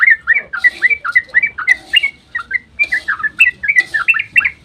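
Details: Fast ropel song of yellow-vented bulbul at dawn, used as a lure to trigger others to sing; loud, evenly paced liquid chirps and upslurred whistles, roughly four a second, with no pause.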